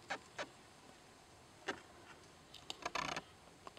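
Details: Male Yellow-headed Blackbird perched beside a road at Cheyenne Bottoms Wildlife Area near Great Bend, Kansas: a few short, harsh broadband chucks spaced apart, then a quick rattling cluster of clicks near the end, over quiet background hiss.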